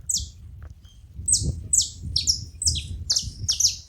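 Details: Saffron finches in a group give bright, high chips that drop steeply in pitch, overlapping and coming about twice a second over a soft low background hum.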